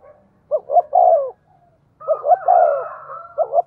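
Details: Spotted dove kept as a decoy bird, calling readily: two low, mellow cooing phrases of three or four hollow notes each, the second overlapped by a higher drawn-out coo from another bird.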